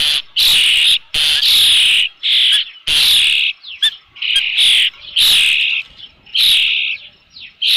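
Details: Osprey at its nest with a fish on 3 June 2018 around 5 PM, giving loud, high, piercing whistled calls in rapid bursts of about half a second to a second, repeated almost continuously with short gaps.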